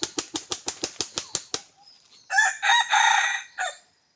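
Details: Red junglefowl kept as a decoy bird for hunting: a rapid burst of about eight sharp wing-flap claps, then a loud, harsh multi-part crow with a short clipped ending.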